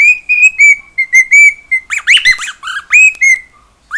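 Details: Pet cockatiel singing in the house: an even sequence of clear whistles, then a quick cluster of chattering, rising-and-falling notes, then a few more bright whistles.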